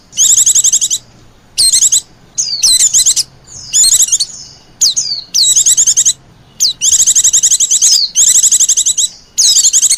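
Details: White-eye calls played as a lure for wild birds: long, dense runs of shrill, rapid chattering trills broken by quick downward-sliding whistles, nearly continuous with only brief gaps.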